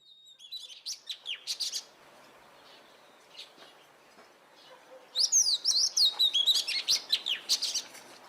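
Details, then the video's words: Oriental magpie-robin in energetic song: brief chirpy notes, a pause, then a loud run of sharp, varied whistles and clicks repeated several times a second. "Edan !! Burung Kacer Gacor"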